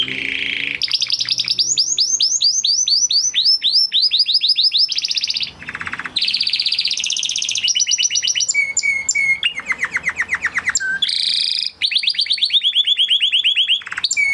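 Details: Huppe Spanish Timbrado canary, 2020 breeding, kept in a flock, singing a long training song: clicking trills, rolling runs of downslurred notes, repeated short whistles and metallic rattles changing pitch every few seconds.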